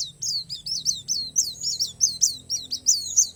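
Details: Oriental white-eye of the palas Borneo type in song filled with natural phrasing, here a run of about ten sharp, downward-sweeping high chirps spaced roughly every third of a second, with a faint constant high tone.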